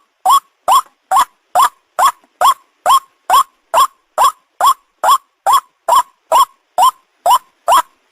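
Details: White-breasted waterhen call used to lure birds for catching: a long run of about sixteen loud, nasal, upward-inflected notes at an even pace of about two per second, nothing else audible.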